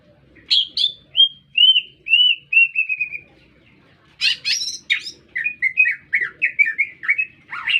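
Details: Green leafbird singing persistently in a city: clear whistled notes slurring downward in a run of short phrases, a pause, then bursts of sharp chips and a chattering series of quick warbled notes, with a faint low hum beneath.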